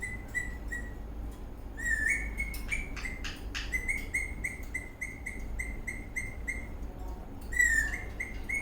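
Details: Eastern rosella parrot dancing happily, chirping in runs of short level notes, with a rising slurred call and sharp clicks or taps between phrases.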